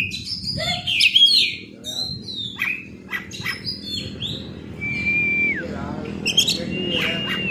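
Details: Oriental magpie-robin song, used to lure a quick response: varied sweet whistles, slurred notes and harsh chirps in quick phrases, with a clear falling whistle near the end over a low background hum.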